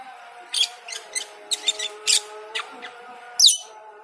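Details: Cucak keling bursting into lively song when the call to prayer sounds, giving quick clusters of bright, high chattering notes and a downward whistled sweep, over the steady tones of the chanted call to prayer.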